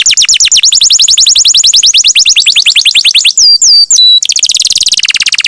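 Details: Lively champion canary in a long-roll master recording: a rapid run of high descending sweeps repeated about three times a second, two sharp whistled slurs, then a dense buzzy trill to the end.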